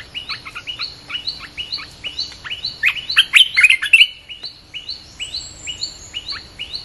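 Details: Red-whiskered bulbul song used to lure wild birds: rapid, repeated short whistled notes dipping and rising, about three per second, swelling into a louder warbled burst mid-way, then resuming steady chirping phrases.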